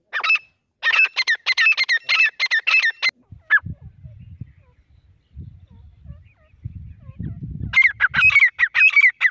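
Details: Wild grey francolin calling: rapid series of loud, shrill, harsh notes repeated about three per second, stopping for a stretch of low muffled rumbling before the strident repeated notes resume.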